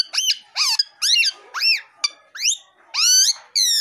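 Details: A pet male plum-headed parakeet, rescued after arriving with an injured foot, whistles outdoors: bright sweeping notes, each rising then falling, about two per second, with clear harmonics and short gaps.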